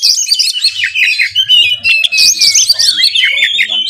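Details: Oriental magpie-robin singing vigorously with mimicked sparrow fighting and kingfisher calls, a dense tangle of high twittering, squeaky chatter and a long drawn-out slurred whistle beneath, with a faint low hum behind.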